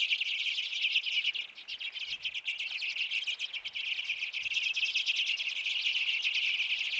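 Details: Common and Hoary Redpolls crowd backyard hanging feeders in Manitouwadge, Ontario, on 6 March 2018 in winter, chattering without pause with dense, high, dry twittering and buzzy chips overlapping throughout.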